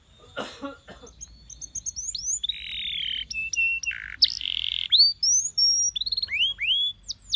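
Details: Singing canary used as a training song, delivering varied whistled slides, sustained buzzy notes and rising sweeps with short gaps between phrases, opening with a brief noisy burst.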